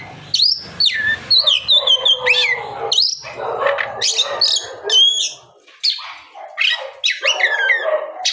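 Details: Afternoon song of an Oriental magpie-robin meant to draw other magpie-robins into singing; rich whistled phrases, downslurred notes and rapid chattering trills follow each other with brief pauses, some low background noise.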